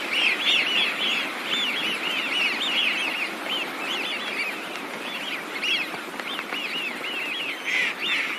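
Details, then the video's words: Eurasian Wigeon flock in winter, many birds calling together: a dense, overlapping chorus of high, arched whistles that rise and fall, repeated rapidly and continuously throughout with no pause. "Let's have a look and a listen to the Wigeon."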